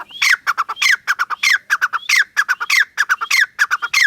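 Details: Grey francolin, known locally as teetar, calling loudly in a fast rhythmic series of harsh, squawking phrases. Each phrase has a sharp descending note followed by several clipped notes, repeated without pause for the whole stretch.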